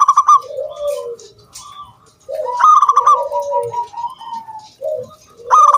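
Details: Local zebra dove singing its clear round 'kung' phrases as a lure for other doves: rapid pulsed trills followed by drawn-out, lower, slightly wavering coos, repeated with short pauses in a quiet setting.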